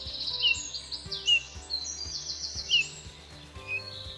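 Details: Eurasian bullfinch (Pyrrhula pyrrhula) song in spring, around the breeding season's dawn chorus: short, soft single, double and descending notes about once a second, with higher, busier warbling from other birds behind it.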